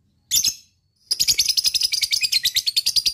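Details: Lovebird ngekek, a chattering song meant to prompt other lovebirds to sing along: one short harsh chirp, a brief pause, then a fast continuous stream of shrill, buzzy pulses that keeps going to the end.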